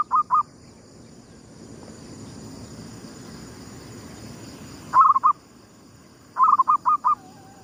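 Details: Zebra dove used as a lure bird, singing in the local gedong mengo style at sunrise: three bursts of soft, rolling, stuttered coos, the last a five-note phrase trailing into a long low drawn-out note, over steady background hiss.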